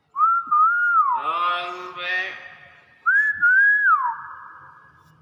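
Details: Pet hill myna that responds when called: a wavering whistled note, then a loud nasal harmonic call, then a second wavering whistle repeating the first, all indoors with background music.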